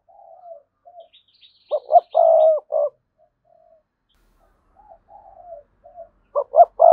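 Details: Spotted dove cooing to lure wild males to come and fight: soft low murmuring coos, then a loud phrase of two short notes, a long rolling coo and a short closing note, repeated at the end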